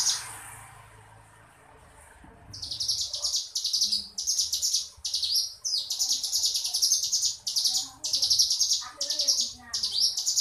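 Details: After about two seconds of near quiet, a crescent-chested warbler launches into ngebrem song, high buzzy trilled bursts about once per second with faint warbled notes beneath.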